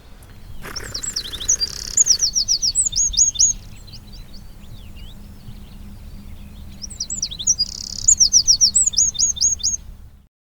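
Two bursts of wren song: loud, fast, high-pitched phrases packed with repeated notes and a rapid trilled rattle, each lasting about two seconds, with a quiet gap between.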